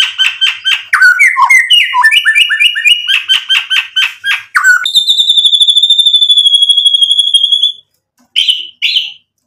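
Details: White-rumped shama song used to make other shamas sing: fast repeated chattering whistled notes for several seconds, then a long steady rapid trill, and two closing whistles.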